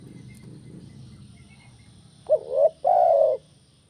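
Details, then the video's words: Spotted dove with 'kuk 1' style calling, intended to make birds sing: after a quiet stretch with faint high ticks, one phrase of a wavering double coo followed by a long smooth low coo. "SUARA BURUNG TEKUKUR KUK 1"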